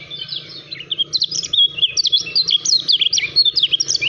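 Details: Lemon-bellied white-eye, known locally as kacamata Lombok or kecial kuning, sings a fast, dense run of high twittering notes, rapid slurred whistles rising and falling in quick succession without pause; a faint low hum runs underneath.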